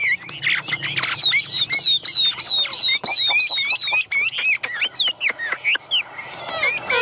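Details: A fired-up caged Chinese hwamei delivers a fast run of bright repeated whistles, high and rhythmic, mixed with sharp clicks and a short harsh burst near the end.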